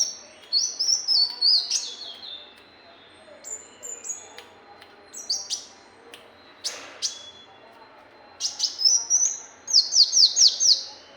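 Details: Brown-throated sunbird singing for bird-tutoring use: bursts of very high, sharp chirps and slurred whistles separated by pauses, ending in a fast run of six clipped, evenly spaced notes.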